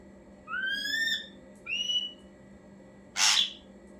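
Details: Ashy drongo used as a lure to draw other birds to answer: a rising, clear whistled note with bright harmonics, a shorter upslurred whistle, then a harsh broadband burst.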